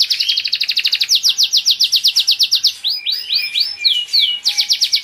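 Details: Song from caged Spanish Giboso canaries: a rapid series of sharp descending chips, followed by slower, richer swooping notes and a return to fast trilling.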